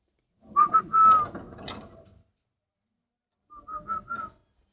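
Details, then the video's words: Spotted dove kept as breeding stock and described as a good brooder, cooing in two short phrases: three soft, even hooted notes, a pause of over a second, then three or four more, with a few sharp clicks and knocks. "chim cu gáy hay ấp"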